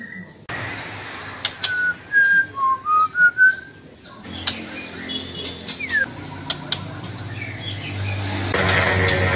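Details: White-rumped shama, an original Sumatran bird kept in Bengkulu city, gives a run of about six clear whistled notes, sliding up and down, followed by clicks and knocks.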